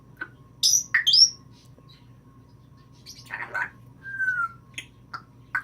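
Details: Indoor pet African grey parrot, female, performing mimicry. High shrill squawks, a noisy breathy burst like a sneeze, a clean falling whistle and short chirps, over faint room hum.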